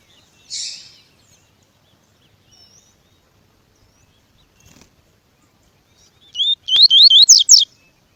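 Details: Double-collared Seedeater (Sporophila caerulescens) training song mixed with female calls: a quick run of about six bright, high, slurred whistles, each sweeping up then down, after a single buzzy note and a long quiet gap.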